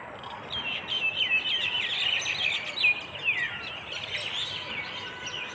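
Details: Many birds chirping together at daybreak on a dewy countryside path in Bangladesh; rapid overlapping high twitters and downward-sliding notes, loud and continuous, with faint background hiss.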